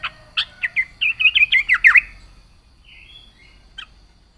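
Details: Yellow-vented bulbul in lively song: a quick series of chirpy, bubbling notes that speed into a dense warbled run, followed by quieter short whistles and one final sharp note.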